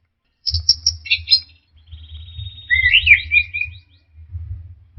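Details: Song of an orange-headed thrush, meant as a training sound for caged birds: quick high stuttered notes, a thin level trill, then a rich warbled, sliding phrase, with a deep hum underneath.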